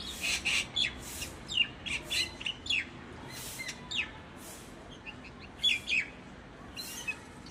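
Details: Common myna calling in a busy stretch of quick chirps, short whistles and harsher squawky notes, repeated rapidly in bursts with brief pauses.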